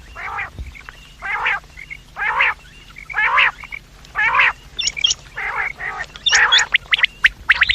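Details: Morning and evening quail call used to lure quails: steady harsh rasps about a second apart, joined later by sharp high chirps and quick clicking notes.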